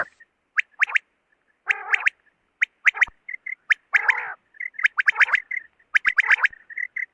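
A quail gives sharp, clicking chips mixed with short harsh, buzzy rattles, in quick irregular bursts roughly once a second, with soft high piping notes between.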